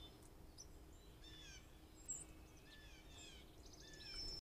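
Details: White-throated sparrows on a deck scold a squirrel, caught by a trail camera, giving sharp, high chips in short scattered bursts over a steady hiss of outdoor noise.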